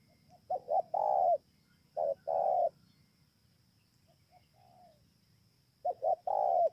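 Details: Spotted dove from Bờ Y, Kon Tum, Vietnam, 28 November 2017, cooing three times: two short soft notes leading into a drawn-out low coo, plus one quieter partial phrase between, in a calm setting.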